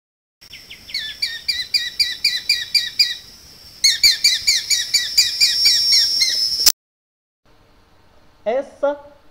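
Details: Tiny Hawk in the caatinga giving its laughing "hahaha" call, two rapid series of high, sharp notes about four per second, like a thin laugh; a brief human voice follows.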